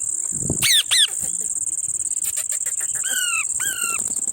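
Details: Parrot eating lemon: two hoarse squawks, a stretch of soft clicking and rustling, then two longer harsh calls that bend downward. A steady insect drone sits high above.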